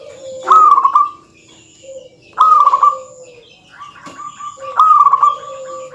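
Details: A lively local zebra dove's dense song, aimed at angering rival males: three rapid stuttered coo phrases about two seconds apart, each a burst of quick pulses, with softer tonal notes from other birds between.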